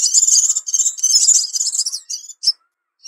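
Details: A Crimson Sunbird gives a rapid, very high, thin twittering for about two seconds, then a few separate sharp notes, used as a lure call.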